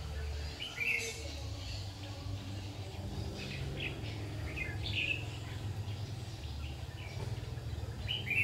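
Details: Red-whiskered bulbul at a trapping site, 7 August 2019, giving brief bright chirped phrases scattered through the recording, roughly every few seconds, with a constant low droning hum underneath.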